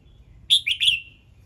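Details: Red-whiskered bulbul morning song, played to prompt other birds to sing: one short bright phrase of three quick whistled notes, the first highest and the last sliding down and trailing off, over a faint low hum.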